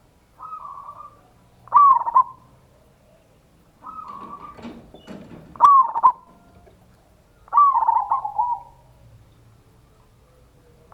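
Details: Local zebra dove used as a lure to make other doves respond: a repeated pattern of a soft rolling coo and then a louder warbling trill, given about every two seconds, with faint rustling between phrases.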